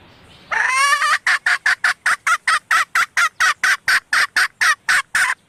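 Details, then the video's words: Hen red junglefowl, used as a lure to call males: a long nasal, wavering note opens, then about eighteen rapid, regular clucks follow in a steady run. "suara ayam hutan betina merah asli/The sound of the original red female jungle fowl"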